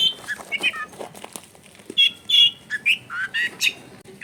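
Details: Long-tailed shrike singing as a lure for a reluctant bird, recorded in a densely populated residential area: scattered soft chirps at first, then louder, buzzy, warbled phrases in quick bursts, over light household noise.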